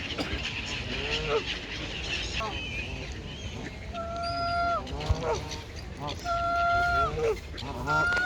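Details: Geese by the water at Mote Park, Maidstone, UK, calling noisily: a few long, flat, nasal honks in the second half, after a stretch of shorter rising notes, with chatter and general park noise behind.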